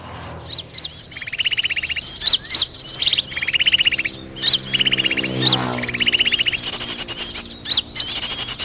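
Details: Sooty-headed bulbul picking a fight: short dry rattling trills repeated every second or so, mixed with sharp, upward-flicked chirps and dense high twittering throughout.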